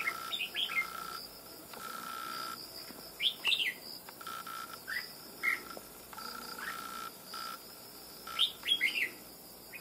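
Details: Wild-trapped red-whiskered bulbul, now caged, described as quick to sing in a loud bell-like voice; spaced short phrases of two or three sharp slurred notes with quiet gaps of about a second between them and a steady hum behind.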